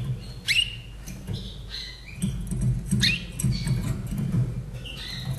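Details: Austrian-kept Slavujar canary from 2011 sings in its cage: bright rising sweeps and short level whistles about every second, against a droning low hum.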